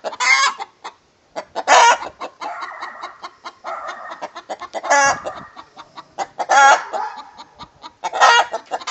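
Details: Rooster singing the egg song together with a hen: loud harsh squawks in bursts, separated by runs of rapid clucking, the pattern repeating several times.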